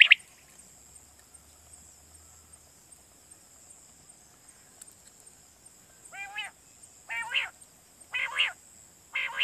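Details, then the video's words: Quail lure call for night hunting in Pakistan: mostly quiet hiss, then four nasal, buzzy, rasping notes spaced about a second apart in the last few seconds. "Batair Kirak batair ki Awaz For Night Hunting"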